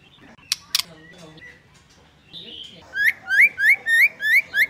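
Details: Female white-rumped shama voice used to excite males: faint soft notes and two sharp clicks, then a steady run of six loud upslurred whistles, about three each second.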